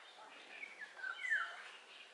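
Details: Eurasian golden oriole song: a short fluting whistled phrase around the middle of the clip, sliding and dipping in pitch, over faint background hiss.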